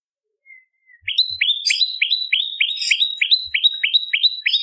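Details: Bar-winged prinia singing energetically, used as a master and lure track for training songbirds: after a faint soft whistle, a fast steady string of sharp upslurred chips, about three per second, with no other sounds.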